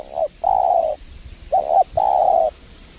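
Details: Spotted dove calling to a lure bird at a windy trapping spot, two pairs of a short coo followed by a longer steady coo.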